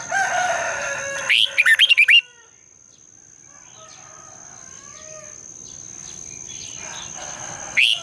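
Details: Red-whiskered bulbul singing at dawn as a lure to push other bulbuls into song: a fast burst of chirpy, up-and-down whistled notes, then a quiet gap with soft distant calls, and a brief fresh phrase at the end.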